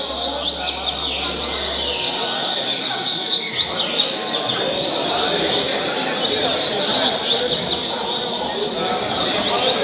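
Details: Captive coleiro singing caribe song, Angra dos Reis, Brazil; fast high trills and twittered notes repeated in a steady stream, a low hum fading after the first seconds.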